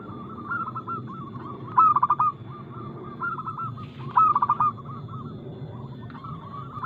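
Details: Lively local zebra dove with fast notes and a loud crystal voice: two strong bursts of quick pulsed cooing, set about two and a half seconds apart, over continuous softer coos from other doves.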